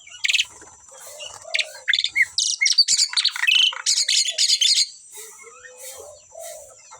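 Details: A kept pair of Asian pied starlings, very vocal, gives loud clipped rasping notes in a rapid run around the middle, framed by softer low whistles and scattered high squeaks.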